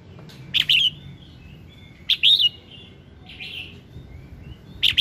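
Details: Red-whiskered bulbul morning song for coaxing other birds: repeated bright warbled phrases about every one and a half seconds, each opening with a sharp click-like note, with a softer slurred phrase between, over faint low hum.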